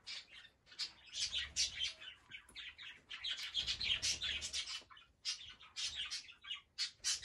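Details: Young male cockatiels give a constant stream of harsh, raspy chirps and squawks, several birds overlapping in quick bursts with barely a pause.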